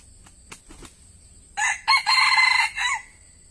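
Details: Red junglefowl kept to lure wild birds: a few soft ticks and rustles come first, then a single clear four-part crow about 1.5 seconds long, its long third section followed by a short downward final note.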